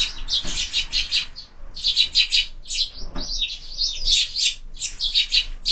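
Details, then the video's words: Sparrows at a window-mounted feeder in the evening as supper begins, giving dense bursts of high, harsh chirps in rapid clusters with brief gaps, several birds overlapping, plus faint low thumps. "Воробьи в кормушке - ужин стартовал"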